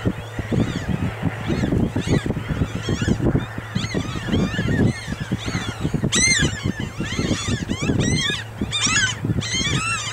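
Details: Hungry Franklin's gulls following a tractor harrowing a field for grubs, worms and arthropods at Grand Forks, North Dakota, 13 May 2013, in spring; many overlapping short nasal mewing calls over a steady low engine drone and rumbling machinery.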